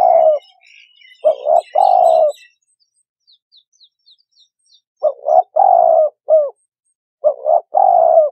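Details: Spotted dove lure call for trapping: deep, breathy three-note coo phrases with a short extra note, separated by a pause. Faint thin twittering of other birds is heard in the gap.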